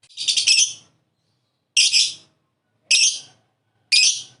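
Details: Lovebird calling to prompt another lovebird to call: four harsh, raspy high squawks, the first longest, spaced about a second apart with silence between.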